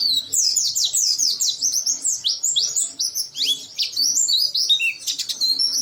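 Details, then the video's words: Excited oriental white-eye pouring out its song, beak open: fast, high, slurred chirps tumbling in quick succession, with short pauses and a burst of clicks near the end. "Burung Pleci Ngotot sampai Paruh nya Dower."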